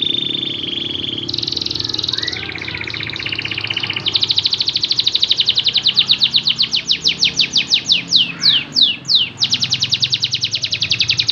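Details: Canary song meant to spur lazy canaries into singing: a steady high trill shifting pitch, followed by a long fast series of sharp rhythmic notes repeated several times a second, ending in a dense rolling trill.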